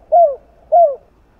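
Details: Spotted dove, likely a kept bird, cooing: two soft, low, slightly falling coos about half a second apart, over a quiet background.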